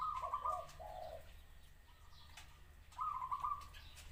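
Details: Zebra dove song: a quick trilled cooing phrase opens, followed by softer, lower, drawn-out coos, then another bright stuttering phrase after about three seconds, against faint outdoor ambience.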